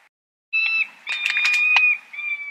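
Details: Peregrine falcon producing a sustained high whining note interrupted by a burst of harsh, clicking rasps, then resuming the steady whine.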